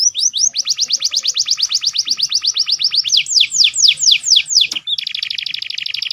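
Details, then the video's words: A canary sings a combined lure-audio song with a full repertoire including prinia and crystal-sunbird-style phrases: a fast rolling trill of high repeated notes, then slower down-slurred whistles, ending in a dense buzzy rattle. "AUDIO MASTER KOMBINASI BURUNG KENARI"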